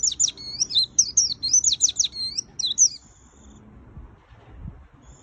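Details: White-eye in lively full song with fill phrases: about three seconds of rapid, very high chattering notes that slide and zigzag, ending in a short twitter, then quiet except for faint soft knocks.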